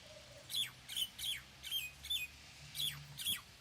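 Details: Common myna uttering harsh, squawking calls, each a bright chirp with a downward slide, repeated irregularly about seven times, with a faint low hum underneath.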